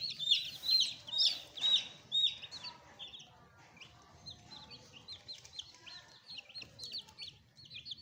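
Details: Freshly added chicken chicks kept as pets, peeping: loud, high, downward-sliding peeps come about twice a second for the first two seconds, then softer overlapping peeps from several chicks continue, with faint background hiss.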